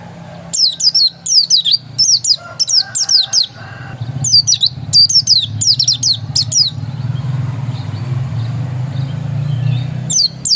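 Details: Oriental white-eye, described as a pure original bird, singing repeated bursts of high, quickly falling twitters in two long phrases, with steady low traffic rumble building in the background.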